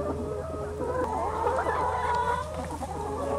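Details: Several young free-range chickens on a farm in the Lower Rhine region, heard as a continuous overlapping murmur of soft clucks and drawn-out tonal calls from many birds at once, with steady low rumbling in the background.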